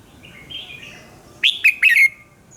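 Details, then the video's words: Bulbul with red whiskers singing in the morning as a training decoy: soft warbling, then a sharp phrase of three or four bubbly, down-slurred whistles. "luyện giọng chào mào hót sáng - Hót hay nhanh lửa"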